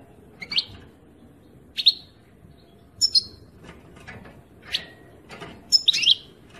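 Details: Song of a European goldfinch: scattered bright chirps, some rising and buzzy, others thin and high, given irregularly with short silences between, background otherwise quiet.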